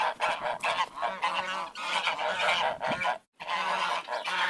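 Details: Flock of ducks producing a thick chorus of overlapping, nasal quacks, with rhythmic surges of calling and a brief pause shortly before the end.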